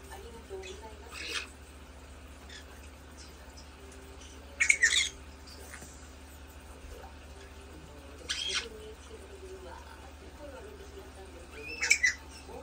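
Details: Two pet white-bellied parrots play-fighting, giving short harsh squawks in four separate bursts spaced a few seconds apart, over a steady low background hum.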